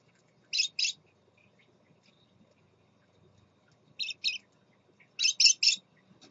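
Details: Scarlet-chested parakeet dad with his young, captive: scattered pairs and triplets of short, scratchy, high-pitched chirps separated by silent gaps, with low faint background noise.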